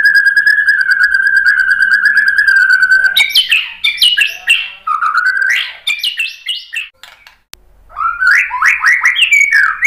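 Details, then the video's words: White-rumped shama song meant to bait another bird into full song: a long, even, ringing tone held for about three seconds, followed by jumbled rapid slurred phrases and short sweeping notes. "KICAUAN MURAI BATU merangsang BUNYI jadi NYAUT GACOR NGEPLONG BONGKAR ISIAN ¦ PANCINGAN MURAI"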